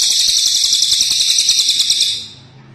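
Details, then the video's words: Cililin bird singing: a high, dense, buzzy trill held steadily for about two seconds, then fading out into near silence. "Suara burung cililin ASLI"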